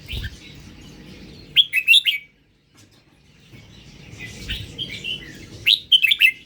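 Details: {'text': 'Red-whiskered bulbul, Indo strain, gives two short phrases of clear, bouncy whistles about four seconds apart. Soft twittering from other birds continues behind.'}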